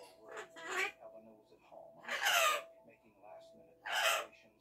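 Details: Blue-winged macaw giving three harsh, broadband squawks about one and a half seconds apart, with faint indoor voices between the calls.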